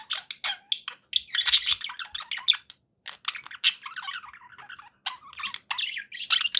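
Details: Pet budgerigars chattering in a dense, continuous stream of short warbled and squawky notes, mostly high-pitched, with brief pauses around three and five seconds.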